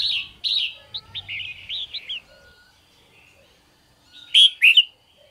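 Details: Morning song of a red-whiskered bulbul kept in a cage: a busy run of quick whistled chirps, a quieter stretch, then two loud ringing whistles sliding downward.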